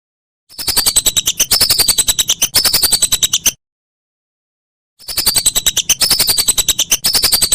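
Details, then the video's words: Whistling duck calls used as a tutor recording for songbirds: two long runs of fast clicking pulses with high whistles sliding downward, split by a clean silent pause. "Masteran Burung Belibis"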